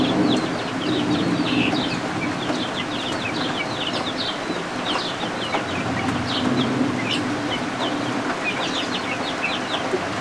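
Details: Several just-hatched guinea fowl keets under a heat lamp chirp busily: rapid, high-pitched, short peeps from many birds at once, continuing without pause, with rain hissing in the background.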